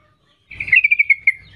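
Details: A female sooty-headed bulbul calls to males with one quick burst of about eight bright, evenly paced notes, gradually slowing and fading.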